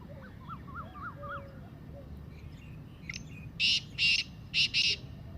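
Black francolin giving four loud, harsh, grating notes in quick succession. Faint whistled notes from other small birds come just before.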